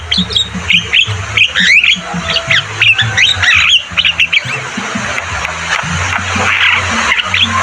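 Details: Javan myna in full song, used as a training recording for other birds: loud, varied squawks, chattering notes and short whistled phrases in quick bursts, over a steady low droning hum.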